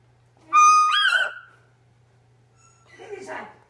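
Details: Male double yellow-headed amazon reacting to footage of himself, with a red-crowned amazon companion also reacting nearby; a loud, harmonic squawk with a rising bend lasting about a second, then a softer, rougher call after a pause.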